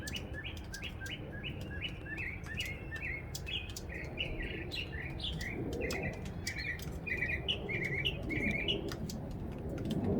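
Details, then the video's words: A northern mockingbird sings merrily after a February rain: a long, lively string of repeated phrases, each copied several times before switching to a new pattern midway. Low rumbling noise grows toward the end. "A northern mockingbird sings merrily after a February rain."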